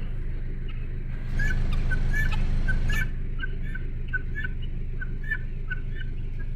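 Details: Guinea hens calling: a series of short, harsh, repeated notes, about three per second, over a loud low rumble of engine or wind noise that swells midway.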